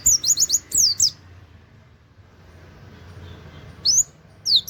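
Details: 'Wit wit' song of an Oriental white-eye, used as a training master: a brisk cluster of thin, high, downslurred whistles, a silent gap of nearly three seconds, then two separate bright high notes.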